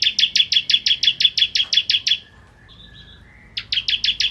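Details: Ciblek kristal (bar-winged prinia) singing actively, used as a tutor recording for white-rumped shamas: fast series of about twelve sharp, high chipping notes at an even pace, a short pause with faint thin notes, then another quick burst of chips.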